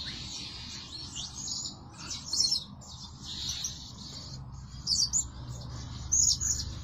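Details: Blue-crowned hanging parrot lure bird, calling day and night, gives strings of shrill twittering squeaks roughly every second against a noticeable low background noise.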